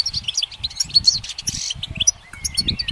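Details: Goldfinch on a sunny branch giving scattered high chirps and short twitters with small gaps between bursts, over soft low thuds.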